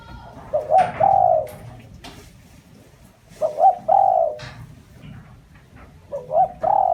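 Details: Spotted dove giving its lure call, a pattern of two brief hoots then a long, level coo, repeated three times about two and a half seconds apart, with soft knocks between.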